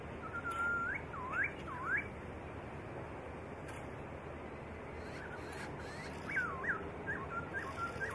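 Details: White-rumped shama song for training songbirds: a burst of looping, swooping whistles at the start, a quiet gap, then a later run of short rising and falling whistled notes, against steady background hiss.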